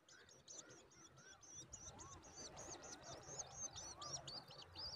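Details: The last chick left in a woodshrike nest begs with a rapid, nonstop run of thin, high, squeaky notes as its mother feeds it regularly; softer, lower slurred whistles beneath, over faint background noise.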